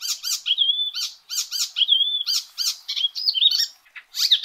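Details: Icterine warbler song, a loud Indonesian-style master recording: rapid clusters of harsh chattering notes alternating with sustained clear whistled tones, some level and some wavering, with brief gaps between phrases.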